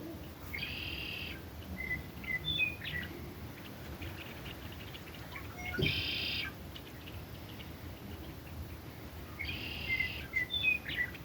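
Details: Red-winged blackbirds in Russell County, Kansas, on 4 March 2023 give harsh, buzzy bursts about every four and a half seconds, mixed with short high chips and whistles over a low rumbling background.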